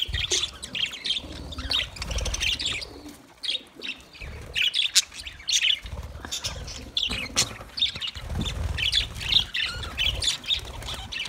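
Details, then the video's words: Budgerigar chatter of quick, high, rasping chirps and warbles in uneven bursts, with low mumbling sounds between phrases. "Budgies parrot awaz"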